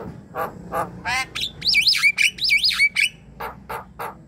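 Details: Javan myna singing, used as a lure to get silent mynas to sing: harsh squawky notes lead into two looping whistled phrases that rise and dip, followed by coarse rasping calls.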